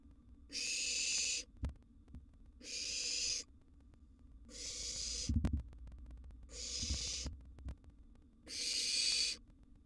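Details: Barn owl nestling, wild and filmed in a nest box as a large gerbil is brought as a meal, rasping out five long hissing screeches at steady intervals of about two seconds, with soft knocks and scuffles between.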